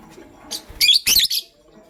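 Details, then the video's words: Lovebird, pastel gray and green colour forms, heard in the morning: a quick cluster of three loud, shrill, scratchy chirps in about one second, then quiet. "Pastel Gray LoveBird Chirping Sound"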